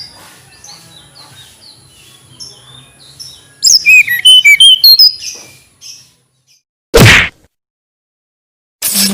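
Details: Sweet song of a tledekan gunung flycatcher: a quick burst of high whistled notes for about two seconds, followed by two loud bursts of broadband noise.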